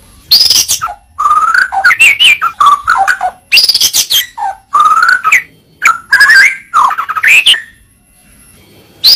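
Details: White-rumped shama song used as a tutor recording: rapid, richly varied phrases of sweet whistles, rattling trills and sharp chirps, switching pitch constantly, bursts every half second or so, ending in a short pause.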